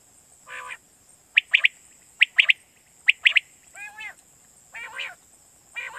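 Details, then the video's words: Quail voice used to attract quail at night for hunting in Pakistan: clipped high triplets repeated about every second, interspersed with lower wavering nasal calls, steady hiss in the background. "Batair Kirak batair ki Awaz For Night Hunting"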